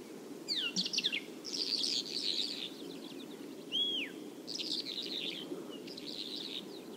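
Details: Bimaculated lark recorded in Turkey: scratchy, rapid twittering song in short bursts of buzzy, trilled notes, with one clear downslurred whistle near the middle, over a steady low background hum.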